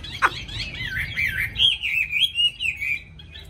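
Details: Caged, tame Hwamei with a wild-type voice that sings eagerly when hung out opens with a sharp downward whistle, then rushes into a lively sequence of clear, bouncing whistled notes that fade softly at the close.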